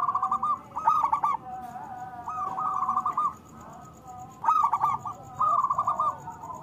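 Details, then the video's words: Local zebra dove sings repeatedly to stir idle doves into song: paired phrases of fast, clipped coos flowing into rolling trills, with a quieter pause midway. "Perkutut lokal gacor Suara Besar Panggilan Perkutut Agar Bunyi"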